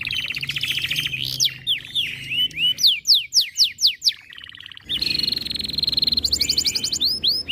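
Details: Canary in breeding condition, fiercer when hearing other birds: fast buzzy rattling trill, then a run of loud arching downslurred whistles about four per second, a short silence, and another high rapid trill with sweeping notes.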